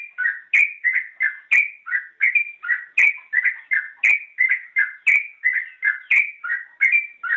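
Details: Gacor-style song of a yellow-vented bulbul, used as a training recording for cage birds: a continuous chain of liquid, warbled whistles, alternating higher and lower notes roughly every half second.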